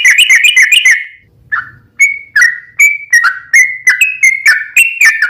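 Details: Lure song of a sooty-headed bulbul meant to make other bulbuls answer: a brief rapid trill, a pause, then about a dozen separate clear whistled notes, falling and rising, repeated roughly twice a second.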